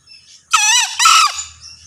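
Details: Male green junglefowl crowing: a loud harsh two-part call, the first burst rising then falling in a series of stacked tones, a brief gap, then a shorter second burst ending abruptly; faint background hiss.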